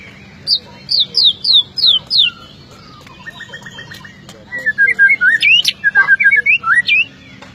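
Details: Magpie-robin singing a sharp, varied song: a run of loud descending whistled notes, a pause, then a quick series of lower clipped notes and rapid twittering, rising and falling phrases.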